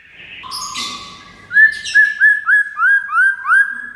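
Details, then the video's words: White-rumped shama tutor song for prompting other shamas: after a rough start, seven identical upslurred whistled notes repeat about three times per second. "MURAI MANAPUN AUTO RESPON DENGAR MASTERAN MURAI BATU SATU INI"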